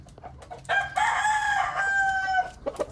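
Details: A rooster in a village gives one long sustained crow lasting nearly two seconds, strongly harmonic and steady in pitch, with faint clicks and background noise before and after.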